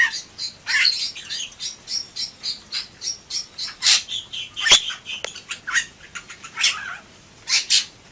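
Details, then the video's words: Steady stream of short buzzy, squawking notes from a Bali myna (Leucopsar rothschildi) in gacor song, running without a break, with one sharp click in the middle. "Suara Burung Jalak Bali Gacor"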